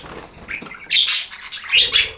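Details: Budgies chirping: quiet scratchy warbles build into two loud bursts of buzzy, high chatter.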